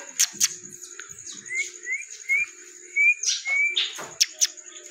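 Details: A talking rose-ringed parakeet gives five short, rising whistles about half a second apart, over a steady high whine and a few sharp knocks and clatters.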